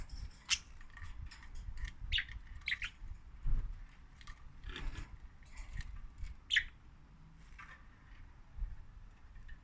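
Budgerigar giving short, sharp, high chirps at irregular intervals over a low rumbling background.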